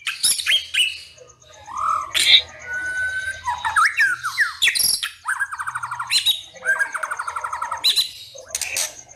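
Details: White-rumped shama song used as a lure to provoke rival birds: varied loud whistles, rapid rattling trills and buzzy notes in quick bursts, with sharp chattering phrases between.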